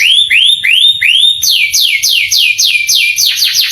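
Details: Canary song used as a training recording to excite young canaries and get them to answer and sing: loud, high, repeated sweeping syllables, first rising arcs and then rapid downward-sliding notes about three per second.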